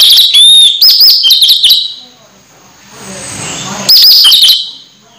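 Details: Orange-headed thrush nearly in moult but singing hard, giving a long run of repeated bright whistled notes with quick warbling flourishes, a brief lull, then another loud whistled burst.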